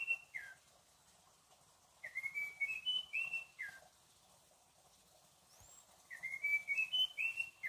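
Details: Munchique wood wren, a Colombian endemic, recorded at Alto La Eme: clear whistled phrases of sliding and steady notes, repeated after pauses of about two seconds, with one faint high upward whistle between phrases.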